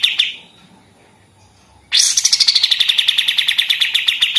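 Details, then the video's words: Pied triller singing in the rapid 'machine-gun' style used to tutor other songbirds: a short note, near silence, then a high slurred note sliding down into a fast, even rattle of sharp repeated chips, about three per second. "kapas tembak gacor senapan mesin"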